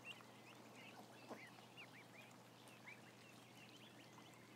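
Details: Roughly a thousand ducklings make scattered high peeps, some louder, arching and rising, over a softer crowd of chirps and a constant low hum.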